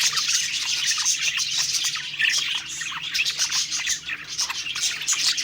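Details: Several budgerigars, happy while singing and eating, fill the air with dense, overlapping high chirps and warbles, a continuous busy twittering with no pauses and a faint low hum underneath.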